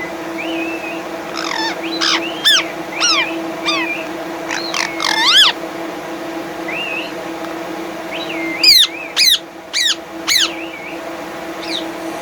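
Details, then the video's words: Pet parrot, agitated and angry, reacting to another parrot's voice played on a phone: sharp whistled squawks and rising-falling harmonic screeches in bursts, a cluster around two to five seconds and another near nine to ten seconds, over steady indoor hum. "Mithu reaction to other parrot's voice on phone"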